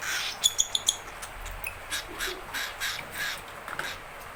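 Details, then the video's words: Hand-fed baby cockatiel, hungry and angry, calling for its owner: four sharp ticks, then a run of harsh, breathy rasping bursts repeated quickly over steady background noise. "the Cockatiel hanging out Angry Hungry"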